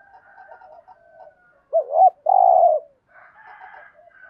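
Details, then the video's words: Spotted dove coo meant to stimulate newly caught doves: soft, faint cooing murmurs, then one loud phrase of two looping hoots and a long buzzy coo, followed by further quiet background cooing. "thuc gu chim cu gay kich bổi/ cu cườm gù thúc bài bản giúp bổi rất xiếng gáy"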